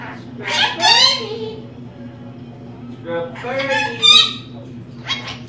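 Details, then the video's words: Household lorikeet, female, talking: two clusters of raspy, buzzy speech-like syllables with falling tones, then a short final burst, against a faint constant hum indoors. "Lorikeet Talking"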